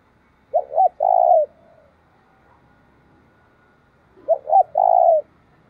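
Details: Spotted dove cooing, a recording used to stir wild doves into cooing quickly; two low mellow phrases, each two short clipped coos then a longer drawn-out coo, about 3.5 seconds apart, with a quiet background.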